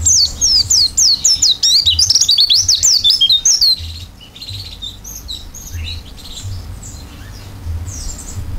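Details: Oriental white-eye with open beak in fill-in style song: nearly four seconds of fast, tumbling high whistles and twitters, then quieter background with scattered faint chirps and a low hum.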